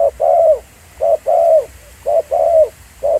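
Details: Live field recording of a spotted dove decoy at Pha Sing, giving mellow two-part coos. A brief note is followed by a drawn-out, slightly descending coo, repeated roughly every second over quiet low background noise.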